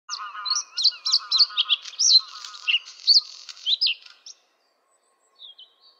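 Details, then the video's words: A bluethroat sings a fast, varied four-second phrase of high chirps, twangs and sweeps over a lower ringing hum, then a few faint notes after a pause. "a bluethroat sing"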